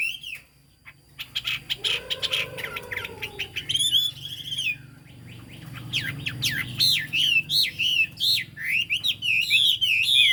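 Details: 'Cao cầu' song of a Chinese hwamei: scattered sharp ticks and a low drawn-out whistle give way to a loud run of rapid, zigzagging whistled notes that continues to the end.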